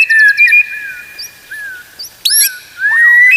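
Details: White-rumped shama song used as a tutor recording to train other shamas to sing. It has clear sliding whistles, a quick stuttered opening and a bright rising whistle at the close, over a faint hiss.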